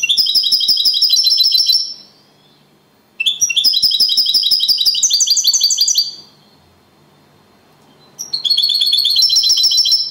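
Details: Copia Malaga singing style from a champion European goldfinch placed second: three bursts of high, liquid trilled twittering, each about two to three seconds long, separated by short silences.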